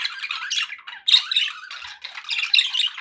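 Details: Pet budgies in good spirits making quick squeaky warbles and short grating squawks, with a louder burst after one second and buzzy twittering to the close.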